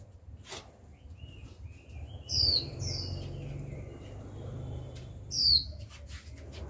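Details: Caged young female Japanese white-eye calling steadily to prompt males to sing: two sharp descending whistled notes about three seconds apart, over a soft rumbling background and a faint distant chirp.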